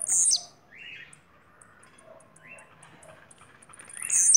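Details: Bahia blue-black grassquit giving a high buzzy burst at the start and the end, with softer rasping lower notes in between.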